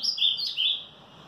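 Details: Fragment of 'batida forte' song from an Ultramarine grosbeak, recorded 18 March in the morning: three or four loud whistled notes sliding between high pitches, ending abruptly.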